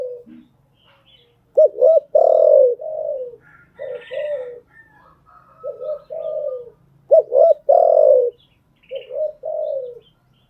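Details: Training coos of a spotted dove used to school new captive birds: paired clipped notes leading into rich falling coos, in two phrases separated by a pause, with faint higher chirps between.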